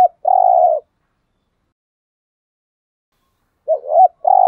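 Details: Lure song of a spotted dove for attracting wild birds: a long level hoot, about three seconds of silence, then a doubled short coo leading into another sustained low hoot.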